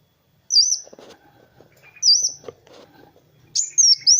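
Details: Kowul sunbird used as a masteran training song: three sharp, very high whistled phrases, each a short downward-swooping note, the last a rapid burst of several notes, with soft rustling between.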